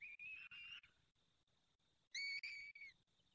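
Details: Peregrine falcon at its nest while being fed, fifth feeding, Barycz Valley, 23 April 2020, 19:28: a long whistled call, a pause, then a louder, rich, slightly falling whine.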